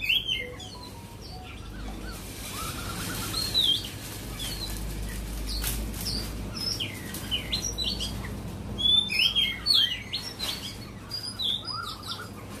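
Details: Cat Tien white-rumped shama answering a recorded song: scattered bursts of bright whistles and quick chattering phrases, louder clusters around the middle and later, over a steady low hum.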